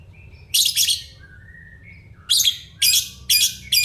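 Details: Lovebird song used as a master song for training: loud harsh buzzy chattering bursts in quick succession, separated by thin short whistled tones.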